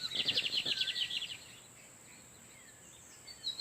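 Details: Male lined seedeater singing torniado-style song in the wild while a female incubates nearby; one fast, high, chattering trill for over a second, then near silence and a faint chirp at the end.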